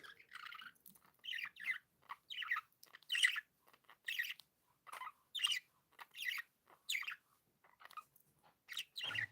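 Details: Happy pet budgerigar chirping: short warbled chirps repeated steadily about every half second to second, fairly even in pitch, in a quiet room.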